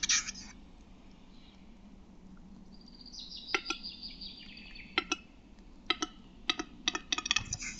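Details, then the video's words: Male Western capercaillie singing in Lithuania, in one of the country's largest-bird forests: dry double clicks, then a long high hissing, grinding phrase, then a spaced series of sharp paired knocks. "Lietuvos paukščiai: Kurtinys"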